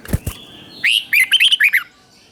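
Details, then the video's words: Red-whiskered bulbul kept in captivity, a short doubled teacher phrase for training other birds: after two low thumps, about one second of quick rising and falling warbled notes. "เสียงนกกรงหัวจุก | สุดยอดนกครู เบิ้ลชัดๆ เบิ้ลเป็นคู่ๆ เสียงกระตุ้นนกรงหัวจุก"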